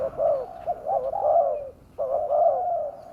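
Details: Spotted dove calling, played to lure wild doves: warm, low, wavering coos run together into longer phrases, with a brief pause before a final drawn-out coo.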